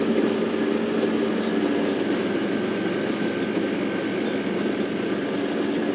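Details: Loud, steady rumble of a safari vehicle engine on a morning drive, with no animal calls standing out.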